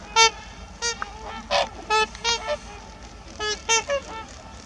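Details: Trumpeter swans at Heber Springs, Arkansas, give short, nasal, horn-like honks, about a dozen in quick, uneven bursts, several birds calling over a low background rumble.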